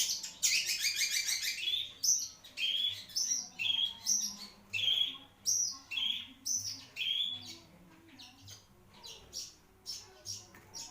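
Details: Marlboro-type long-tailed shrike in song: an opening rapid chattering trill, then a string of sharp whistled and scratchy notes at about two a second, gradually fading.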